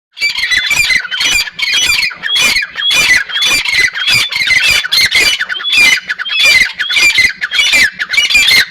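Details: Partridge calling in loud, harsh, squawking notes repeated rapidly, about a hundred and a half per minute, with layered overlapping bursts and short gaps throughout.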